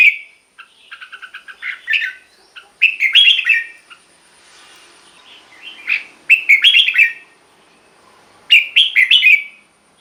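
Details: Red-whiskered bulbul, a caged bird, singing to rouse other caged birds: rapid chattering notes, then loud warbled phrases recurring roughly every three seconds, with quiet gaps between.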